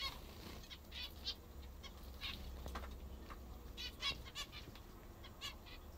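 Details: Pet zebra finches busy eating their favourite food; sparse short nasal beeps come every second or so, some overlapping, against a steady low rumble.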